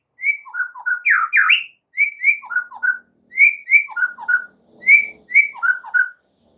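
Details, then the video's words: White-rumped shama in lively song for training other songbirds: groups of three or four mellow whistled notes, alternating high and low, repeated in phrases with short gaps. "MASTERAN mUrai batu GACOR"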